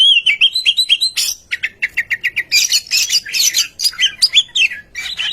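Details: Oriental magpie-robin singing as a lure to set other birds singing: wavering high whistles open, followed by a rapid string of repeated chips and a jumble of scratchy, twittering and whistled phrases.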